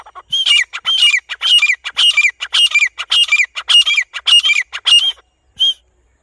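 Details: Grey francolin in the grass, calling in a loud, harsh, high repeated phrase, each burst a ringing squawk with a rising-falling note, about nine bursts in quick rhythmic succession, then a pause and one short final note.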